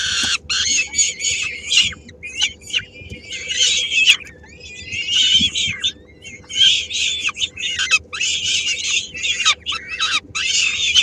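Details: Peregrine falcon young at three weeks old, fed by the female at a Helmond nest, Netherlands, on 13 May 2016; sustained chorus of rasping, chattering screeches with brief pauses throughout.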